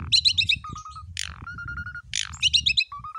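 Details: Javan pied myna in a training recording. Bursts of quick high chirps alternate with harsh notes and short runs of level whistles, over a low background rumble.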